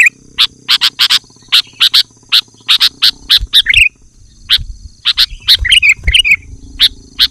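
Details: Sooty-headed bulbul used to lure wild bulbuls and provoke answering song: rapid sharp chips in loose clusters, interrupted by two brief bubbly warbles, with faint low knocks.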